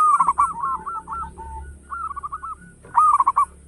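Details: Local zebra dove singing loudly, offered as a lure recording: a burst of quick stuttered notes, two quieter rolling coo phrases, then another loud staccato cluster near the end.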